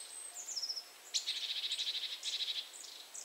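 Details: Eurasian nuthatch (Sitta europaea) in central Poland, grooming and calling to another nuthatch in another tree. It gives short bursts of rapid, high, clipped piping trills, about ten notes a second, after a thin high whistle.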